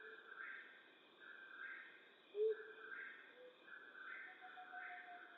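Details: Flammulated owl at night in western North America giving one short, low hoot midway, with a faint higher note after it, against a throbbing background of insects.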